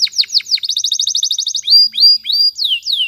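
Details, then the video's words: Canary singing a training song: a few slurred notes lead into a rapid even trill, followed by loud whistled notes and two long sweeping down-slurs. "Canary's Most Powerful Song For Training"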